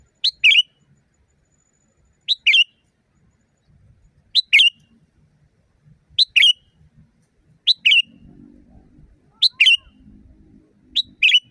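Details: Loud sooty-headed bulbul in nature. It repeats a sharp two-part chirp seven times, about every one and three-quarter seconds, each a piercing burst sliding into a slurred lower note. Faint low hum appears later.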